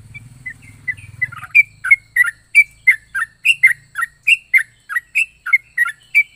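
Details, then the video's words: Yellow-vented bulbul with an unusual voice: faint chirps over a low hum at first, then a brisk, even run of loud bubbly notes, about three per second, rising and falling in turn. "Burung trucuk unik suara aneh .aneka rasa burung trucuk ini"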